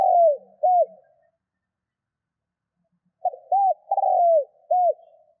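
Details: Spotted dove giving its coo, a sound used to rouse doves into quick calling; the tail of one low phrase, then a full phrase of short note, round coo, long falling purring coo and last round coo, clean background.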